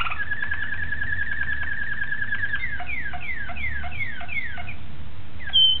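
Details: Song of a Malinois Waterslager canary from 26 October 2012, opening with a long even rolled trill, then shifting into looping slurred notes repeated several times a second, ending on a brief high whistle over low background hum.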